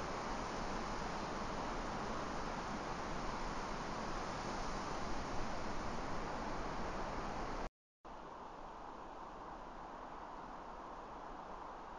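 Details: Steady broadband hiss like wind or distant traffic, with a brief gap of silence near the end and no animal calls.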